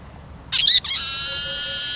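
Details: Eurasian siskin singing two rapid scratchy twitters followed by a sustained nasal, buzzing drawn-out note that carries on to the end, over a quiet low hum.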